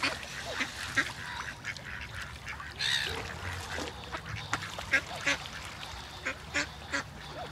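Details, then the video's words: Ducks swimming together in a group on the water, with great white pelicans nearby, sound off together: overlapping short quacks, one louder drawn-out call near the middle, then scattered sharp notes toward the end. "It's nice to see a lot of ducks swimming together and it's nice when they sound together"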